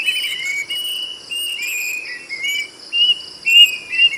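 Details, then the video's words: Plaintive cuckoo whistling a rambling series of moderate notes that dip and climb, ending with a few louder ringing whistles. A shrill insect chorus is constant throughout. "SUARA BURUNG KEDASIH ‼️ SIULANYA NYARING BANGET"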